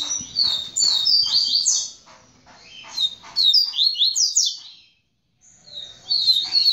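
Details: Captive male double-collared seedeater at a breeding aviary, singing tamborete-style song after mating with the female: rapid high chirping phrases with sharp down-slurred notes, a brief pause near five seconds, then singing resumes; faint low background noise early on.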